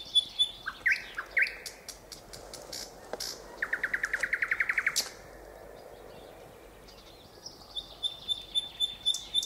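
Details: Nightingale song with scattered sharp notes, a fast even trill of about a dozen repeated pulses lasting over a second, a pause, then thin high whistles.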